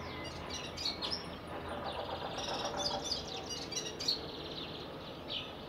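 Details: A Syrian serin sings in April 2021 on a Catholic church campus in Anjar, giving a high, rapid jingle of thin tinkling notes and short trills over a steady background hiss of outdoor noise.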